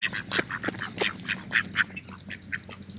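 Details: Mallard ducks feeding in a park on an autumn day give a steady run of short, harsh, nasal quacks and feeding chatter, several every second, over a low background hum.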